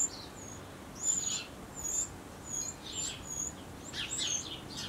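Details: Eurasian wren nestlings being fed for the last times before leaving the nest; high thin drawn-out squeaks alternate with rough, scratchy chirp bursts, several per second in short clusters.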